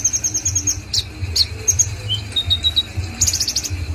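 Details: Common iora singing vigorously: rapid high twittering trills, short sharp chirps and brief whistled notes in a busy, varied sequence, with a low steady hum underneath.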